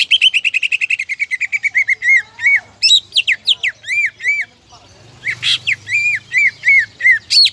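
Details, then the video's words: Greater green leafbird song for provoking rival birds: opens with a fast, evenly spaced trill of descending notes, then arched whistled phrases and squeaky slurs repeated about every half second, with a brief harsh burst. "PANCINGAN CUCAK IJO GACOR AMPUH MEMANCING LAWAN AGAR BONGKAR MATERI"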